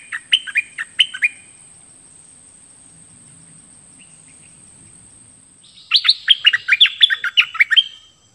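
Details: Bulbul singing: two short bursts of bright, chirpy notes that fall in pitch, a long quiet pause, then a quicker run of about a dozen similar falling whistled notes. The background is otherwise quiet.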